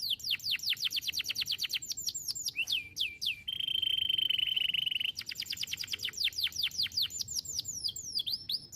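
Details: Singing canary used to train other songbirds: fast series of bright descending whistled notes, a short pause, a sustained level rolling trill for about two seconds, then more rapid descending whistles.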